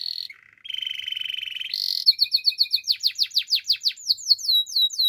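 A Belgian canary sings a bright, high phrase: a short whistle, a steady buzzing trill, then quick repeated downward-sweeping notes about four per second.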